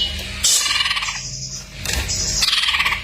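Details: Greater green leafbird (cak ijo) masteran full isian: dense buzzy, rattling high phrases in two loud bursts with a quieter gap between, backed by a low droning hum.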